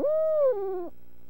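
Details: Barred owl at dinner time, March 14: one long, steady hoot held for half a second that then drops into a lower, sagging tail before fading out.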